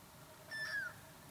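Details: A common redshank (Tringa totanus) at Afsluitdijk, Netherlands, 16 January 2012, gives a single clear, whistled note that slides gently downward, lasting under half a second over a quiet background.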